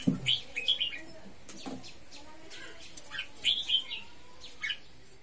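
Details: Red-whiskered bulbul giving short whistled phrases, bright slurred notes in quick pairs and triplets separated by brief pauses, with faint low background noise and a soft knock.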